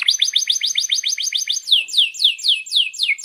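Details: Canary singing for use as a master tutor for young canaries learning to sing: a fast trill of rising notes, then a slower series of loud descending whistled sweeps, about four per second.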